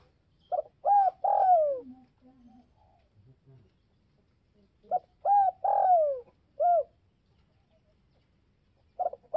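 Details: Spotted dove calling to provoke rivals: two phrases of quick short coos, each ending in a long descending coo and a separate final note, with soft low cooing in the pauses.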